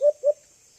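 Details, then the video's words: Young alimokon, the White-eared Brown Dove, giving two quick, low, soft coos in close succession, followed by silence; a call treated by trappers as a strong lure. "Huni ng Ibong Alimokon | White Eared Brown Dove"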